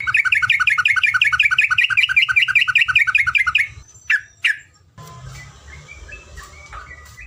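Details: Yellow-vented bulbul tutor song, ropelan panjang style: a steady run of around twenty fast, ringing repeated notes lasting over three seconds, then two separate slurred calls and quieter background chatter.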